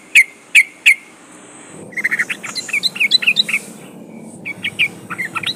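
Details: Trucukan song used as a lure to set birds singing: three sharp clipped notes, then a busy burst of bubbly, chattering whistles that fades and resumes with scattered bright chirps.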